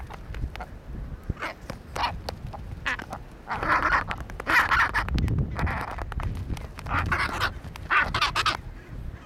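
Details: Chinstrap penguins fighting: harsh, raspy honking bursts repeated roughly once a second, swelling louder mid-clip, mixed with scuffling and clattering noises.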